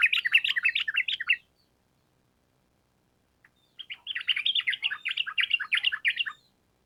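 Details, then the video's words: Rapid chattering song of a sooty-headed bulbul, used as a training lure: a loud burst of quick warbled notes, about three seconds of silence, then a longer matching run. "Pancingan Trucukan Gacor Ampuh Untuk Masteran Burung Trucuk Supaya Cepat Nyaut Bunyi Ropel Panjang"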